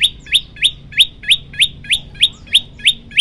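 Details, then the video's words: Prenjak lumut tutor song in the tembakan style, delivered as long bursts in one breath: sharp upslurred chirps ending in a bright high note, repeated about three times per second, steady and rapid. "tembakan 40 detik sekali napas masteran prenjak lumut"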